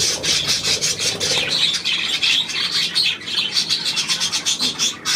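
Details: Budgerigars on 9 February 2024 produce rapid twittering and raspy chirps, with short rising whistles repeated through the middle, all overlapping without pause.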